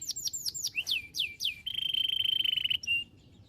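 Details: Canary chirps used to train other canaries to respond: several downward-slurred whistles, then a steady buzzing trill of about a second, finishing with one short clear note.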